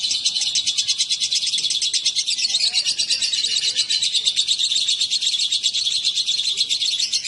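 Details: Lovebirds, a male and female put together, keep up an unbroken, high-pitched chattering of quick squeaky notes that swell and fade slightly over several seconds.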